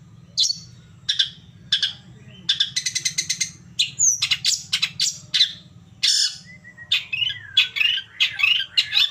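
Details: Long-tailed shrike song used as a stimulus to provoke another shrike to answer. Harsh, scratchy high notes come in quick bursts and buzzy clusters, with a short whistled slide near the end, over a low steady hum.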